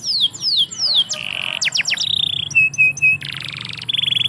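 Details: Canary song recorded in a yard, opening with sliding downward whistles, then short sweeps, a flat held note, three short repeated chips and a buzzy rattling phrase ending on a level tone.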